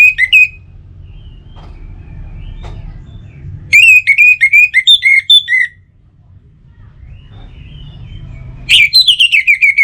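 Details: Lure song of an Orange-headed thrush for morning and evening play: bright whistled phrases of quick, repeated slurred notes, broken by quiet gaps with low background hum, with a fresh phrase starting at the end.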